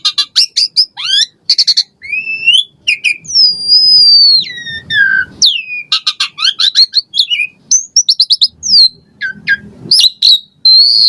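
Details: Asian pied starling in full varied song, used as a prompt to get caged birds singing: long rising and falling whistles, sharp high chips and fast chattering phrases alternating with brief pauses.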